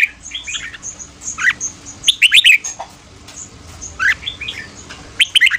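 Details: Red-whiskered bulbul morning song in the fast ché style, used to train singing and provoke wild birds: short warbled phrases of rising and falling notes in bursts, with thin high whistles between and a faint steady hum.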